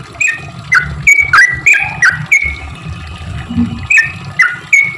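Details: Sooty-headed bulbul in energetic 'cuk cuk' song, used to coax silent bulbuls into singing; sharp slurred chirps in an uneven rapid series over steady low-pitched noise.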